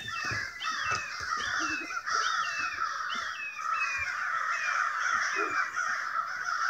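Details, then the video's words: A large, loud flock of crows near a house, stirred up by an unknown cause, caws overlapping continuously in a harsh dense chorus, some hoarse notes dipping and rising, with a person's voice briefly heard. "A murder of crows!"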